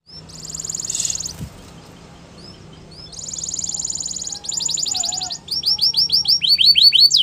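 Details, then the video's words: Yellow canary singing in the morning: buzzy trills and rattling tours at high pitch, then rapid repeated downslurred whistles quickening toward the end, with a brief click midway. "Yellow Canary Singing In The Morning"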